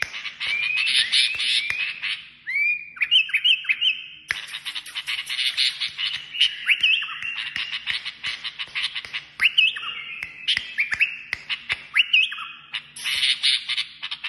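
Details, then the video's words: Continuous song from a Kashmiri songbird, mixing rapid twittering, buzzy trills and drawn-out whistled phrases, with frequent sharp clicking sounds in between. "تغريد كشميري"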